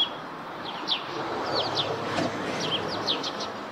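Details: Eurasian tree sparrow near its nest on a roof, giving a busy series of short, bright, downslurred chirps that overlap at an uneven pace, over a steady hiss of background noise.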